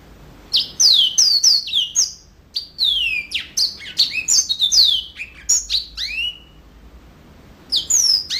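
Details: Yellow-fronted canary giving energetic song. Series of high falling whistles and chirps come in quick bursts, separated by a few short pauses, with one final phrase after a brief silence.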